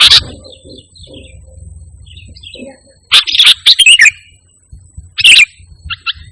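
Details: Actively singing sooty-headed bulbul, no mixed-in phrases, used as a lure and training song for pet birds. Soft faint twitters give way to two loud bursts of quick, bright, descending chirps separated by a pause.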